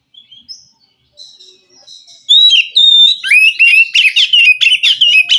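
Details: White-rumped shama from the wild forest, responding to a caged bird reluctant to sing; soft high whistles, then a loud rich phrase of clear whistles and rapid chattering notes.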